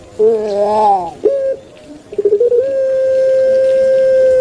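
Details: Kept puter pelung turtle dove, Java, Indonesia: a rough warbling note, a short hoot, a quick stuttering series, then a long, level, drawn-out pure coo held for about two seconds.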